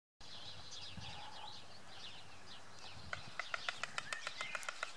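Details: A white stork (Ciconia ciconia) at its nest by the Elbe, 16 June 2016, gives rapid, dry bill-clattering, a fast wooden rattle of about eight knocks per second, greeting its mate. Small birds twitter beforehand.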